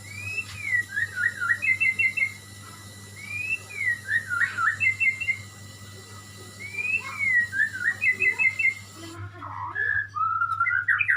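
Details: White-rumped shama, called murai, singing three repeated phrases about every three seconds, each a falling whistle followed by a quick stuttered trill, then a louder varied warble at the end, with a constant low hum behind.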